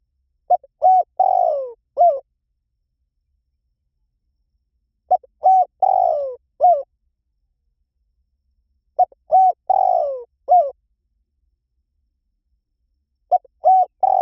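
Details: A dove repeats the same phrase about every four seconds. Each phrase has quick soft hoots, a long descending coo and a final short note, with silence between the phrases.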